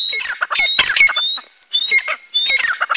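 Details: A pair of grey francolins, calling while free of their cage, give loud, harsh, squawking bursts, three bouts in quick succession with shrill, metallic notes running through them.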